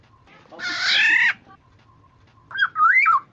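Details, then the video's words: A Black-naped Oriole, used as a lure to draw other orioles to call, gives one harsh, nasal, drawn-out call, then after a pause a short liquid whistle that rises and falls; faint background hum. "Suara burung kepodang"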